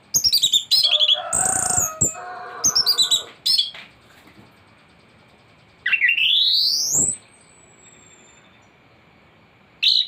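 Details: Singing thrush on a tutor track meant to prompt other birds to sing: quick high notes, a harsh churring burst, a loud rising upslurred whistle with a trailing thin note, then a closing chirp.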